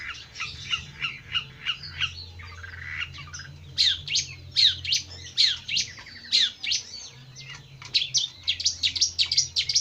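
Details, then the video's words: Jentet bird delivering a rapid series of high chirps, then louder, harsher squeaky notes, steady and chattering, with a low background hum. "Kicau mania burung Jentet bersuara.."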